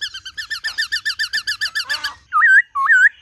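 A laughingthrush sings a fast run of about fourteen clear, rich whistled notes, then two loud, looping slurred whistles.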